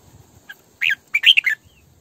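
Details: Red-whiskered bulbul hen kept as a decoy, singing sổ bọng căng: one soft lead-in note, then a bright slurred whistle and a quick run of three rich, warbling notes, with faint low rumbling beneath.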